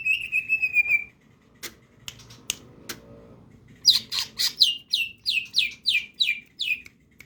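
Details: Greater green leafbird in full steady song, crest raised. A buzzy warbling trill opens, then scattered sharp clicks, then a rhythmic series of bright downslurred whistles repeated about three times a second.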